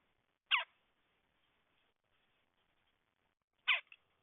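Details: Two harsh, grating calls from a red-headed woodpecker about three seconds apart, each short and rough, with quiet between them.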